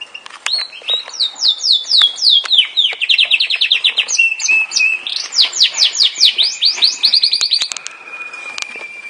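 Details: Yorkshire canary in full song: sustained series of fast downward-sweeping notes in rolling tours, pitch shifting between phrases, ending on a thin held whistle.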